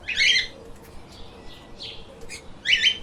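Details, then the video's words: Pet lovebirds chirping; two short bursts of harsh, squeaky chirps at start and end with softer scattered notes between, against a constant low room hiss. "Explore The Chirping little Parrots"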